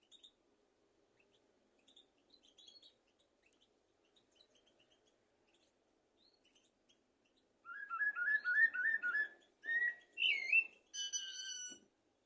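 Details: Common blackbird song used as a tutor for goldfinches and canaries: faint scattered notes at first, then a loud series of repeated fluty whistles, a warbled twist, and high thin twittering at the end.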